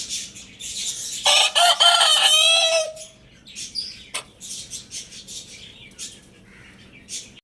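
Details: Lohmann Brown rooster crowing: one loud, harsh, strained crow of about one and a half seconds with a falling, drawn-out ending, followed by busy high chirping and squeaky calls from other small birds.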